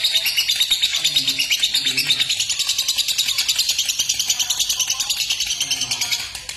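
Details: Lovebird sound used by keepers to provoke courtship and long chattering song in fighter lovebirds: dense, high, rapid chirping at a fast steady pulse of several notes per second, continuous throughout and fading slightly near the end.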